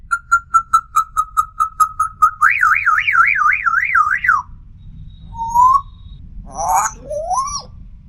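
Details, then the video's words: African grey parrot mimicking: about a dozen evenly spaced short whistles on one pitch, then a long wavering whistle that swings up and down, followed by a few brief rising whistled notes and a rough burst. "Talking Parrot | Best Talking Parrot | African Grey Parrot"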